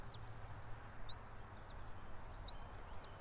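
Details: Bald eagle calling at a nest high in a pine in Johnson City, Tennessee, where a local pair lives, early morning 04.03.2024; two sharp, high, upslurred squealing whistles with a downturned tip, about 1.5 seconds apart, over low background hum.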